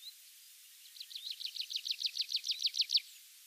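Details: Tree pipit singing in a rare patch of mixed woodland in Mongolia: a fast, accelerating trill of about fifteen sharp, high notes building in loudness over two seconds, ending abruptly; quiet background otherwise.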